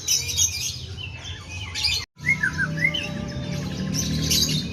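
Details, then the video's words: White-rumped shama giving bulbul-style mimicry of sooty-headed bulbul, a few clear rising whistled notes after a brief silent gap, with hissy noise and a low drone behind. "Suara Emas Burung Murai Batu ll Murai Rasa Kutilang"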